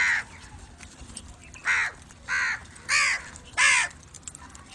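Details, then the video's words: Crow sounds to attract crows: a rapid run of five loud, raspy caws, each about half a second long and spaced under a second apart, with little else audible. "Crow call to attract crows"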